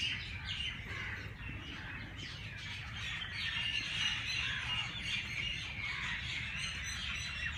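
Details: Birds chirping early in the morning at the race course in Jilani Park, Lahore; a soft, distant chorus of overlapping twittering and chattering notes from several birds, with steady low background hum.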